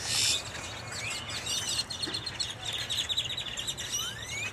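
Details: Blackbirds flocking at a Dallas Wal-Mart on Halloween 2022 produce a constant wash of high chirps with a few long rising whistles near the end, over steady low hum.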